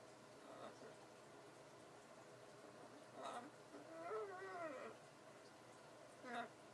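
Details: A female pet macaw, talking and being silly, gives a few short harsh squawks and one longer wavering, voice-like call, spaced over several seconds against a quiet room.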